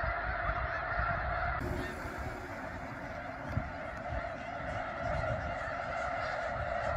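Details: Snow geese in their thousands at McNary National Wildlife Refuge, Washington, their massed honks forming a constant din, with louder individual calls rising from it and some low rumbling noise.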